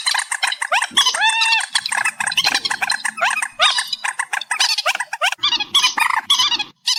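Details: Reed warbler singing, boosted in volume: fast scratchy, jumbled chatter mixed with brief rising tonal notes, nearly unbroken throughout.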